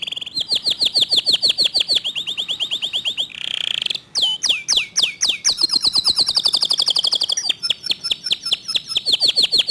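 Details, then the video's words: Local canary in fast, dense song with clear tone: long rolling whistled trills, a harsh buzzy burst, then rapid swooping notes and further trills at shifting pitches, sung almost without a break. "Kicau Kenari Lokal Tembakan speed rapat Suara Jernih"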